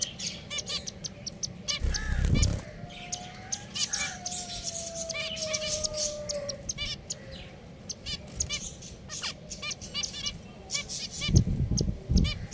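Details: Pet finches keep up a busy chatter of short, high chirps and quick trills, with a drawn-out, slightly falling whistle and a few dull thumps near the start and end.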